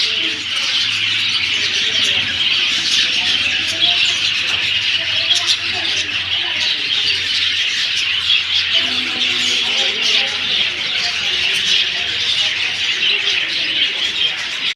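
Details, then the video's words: Long stretch of lively bird chatter, many voices chirping together in a constant high chorus, punctuated by sharper individual notes and a faint low background hum. "birds chirping sound"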